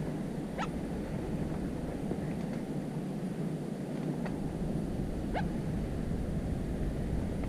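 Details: Little crake in cattails on 13 July 2017 gives sharp, steeply rising whip-like calls, three in the span, irregularly spaced, against a steady low rushing background noise.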